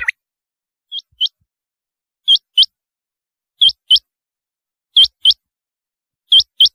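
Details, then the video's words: Repeated rain quail call: crisp, high, metallic note pairs, each note sweeping upward, spaced about 1.1 to 1.3 seconds apart. One faint lower note opens the recording. "Chinga Batair ki awaz"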